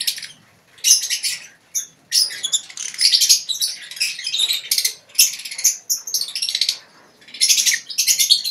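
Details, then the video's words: Caged lovebird colony chattering in ngekek style, an almost continuous run of high, rasping, trilled twitters broken by short gaps, with sharp squeaky chirps mixed in. "Lovebird ngekek di kandang koloni"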